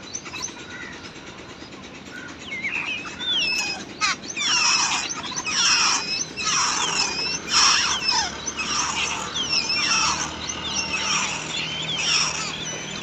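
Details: Wild babbler chicks in the nest being fed by their mother: raspy squealing bursts and twisting whistled notes, repeated roughly every second, over steady background hiss.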